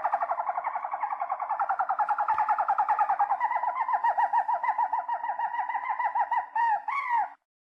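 A Harz Roller canary sings a soft, low, unbroken rolling trill that shifts between tours and ends on a brief rising flourish, with a faint steady hum beneath.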